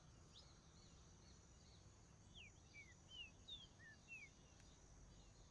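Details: A green-winged saltator (Saltator similis) sings several short, clear downslurred whistles, a few close together, rising and falling at mid-high pitch over a steady high insect-like hum and low background rumble.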